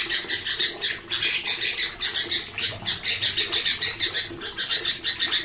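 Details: A Sooty-headed Bulbul (Pycnonotus aurigaster) gives a loud, busy, coarse and dense run of bright, chattering notes, about five or six a second, with little pause; its noisy voice is used for tutoring other songbirds.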